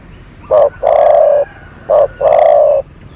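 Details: Two paired phrases from a decoy dove used for luring other doves: each a brief low coo running straight into a longer, steady, hoarse coo, repeated after about a second's pause.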